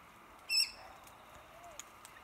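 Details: Corellas, arriving in droves in season to feed on red cotoneaster berries in trees across a road from a home; one short, loud, harsh squawk with ringing overtones, then faint distant calls over a steady background hum.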